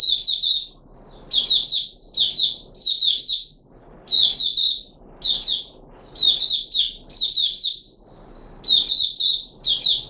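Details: A caged red-whiskered bulbul, recorded 13 April 2021 during a diet trial with fruit juice and a mealworm, sings lively chirpy phrases of two to four notes, repeated roughly every second over a quiet background.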